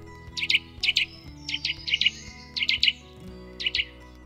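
Eurasian Nuthatch giving sharp, loud paired notes, roughly one burst every half second, with a faint low hum behind.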